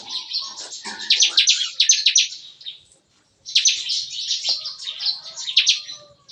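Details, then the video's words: Captive bar-winged prinias in an aviary pen sing in the morning. The lively song is likened to gunfire. Two dense bursts of rapid, high, buzzy repeated notes are split by a short pause. Faint lower chirps come from the background. "Nembak-nembak! Kicauan CiKris Pagi Hari"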